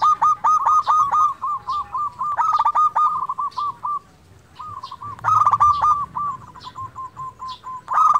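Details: Local zebra dove singing persistently, played to encourage lazy doves to sing: two long phrases of quick, bouncing coos with louder rattling bursts, split by a short pause, with faint high chirps behind.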